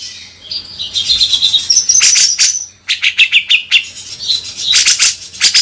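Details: Bearded bulbul in full song, rough 'beset kasar' style: high whistled slurs give way to quick, harsh stuttering notes repeated in clusters, buzzy and loud throughout.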